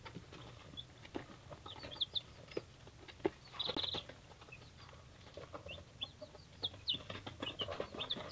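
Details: Three-day-old baby chicks of several breeds, including Polish and Rhode Island Reds, keep up a busy chorus of thin high peeps, overlapping and irregular, with shuffling and occasional knocks.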